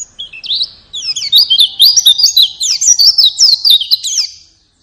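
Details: White-eye song used as a lure to prompt a pet bird to sing: a rapid, high, tumbling twitter of sharp slurred notes, nearly continuous for about four seconds before fading out.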